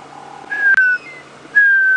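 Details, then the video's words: Wild African grey hornbill calling as it flies off from a marula tree at Djuma Game Reserve, South Africa, in late March 2016: two clear, level-then-slightly-falling piping whistles, the first cut by a brief click. "You can hear him disappearing as he flies."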